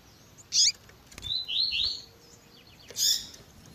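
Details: Double-collared seedeater, tui tui zel zel style, mixed with female chirps: a short run of quick slurred high whistles between two sharp bursting chirps.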